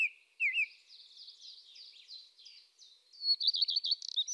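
Eurasian tree sparrow giving high, twittering chirps: soft chatter at first, then a loud, quick run of sharp, metallic notes near the end.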